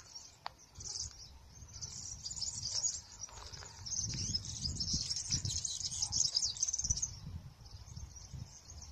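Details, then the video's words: Several European serins sing together from an olive grove, a continuous, very high, fast jingling song of buzzy, sibilant notes over low rumbling wind; a goldfinch is also noted singing nearby. "ya habéis escuchado los verdecillos como cantan mucho"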